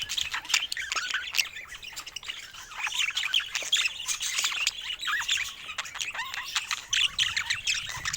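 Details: Budgerigars kept as pets in a busy flock chorus, a steady wash of high chirps, short squawks and twittering warbles overlapping throughout, with sharp clicks scattered among them.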